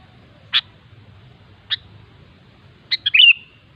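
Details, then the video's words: Wild sooty-headed bulbul: two single sharp chirps about a second apart, then a quick bubbly phrase of three or four clipped notes ending in a slurred whistle, over a faint low hum. "suara burung kutilang ASLI ALAM LIAR"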